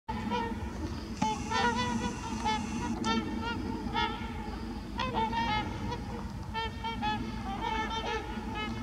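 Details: Trumpeter swans at Heber Springs, Arkansas: a flock gives overlapping nasal, horn-like honks in a near-continuous chorus, with a steady low rumble behind.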